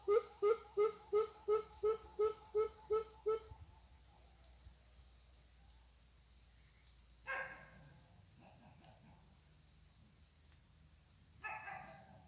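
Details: Greater coucal decoy, a young bird being trained to call in wild birds for trapping. It opens with about nine deep, booming notes in quick even succession, then falls quiet. Two brief harsh bursts follow.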